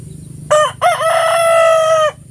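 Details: Rooster's morning crow, close and loud: a short upward-bending first note, a brief gap, then a wavering note swelling into a long, even, rasping final tone before stopping abruptly.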